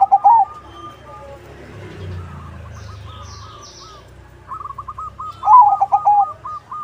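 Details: Crossbred zebra dove (perkutut crossing) in active song, used to lure other zebra doves into answering. A clipped trill opens, a quiet gap with low rumble follows, then one full phrase of stuttered notes swelling into a loud bubbling coo.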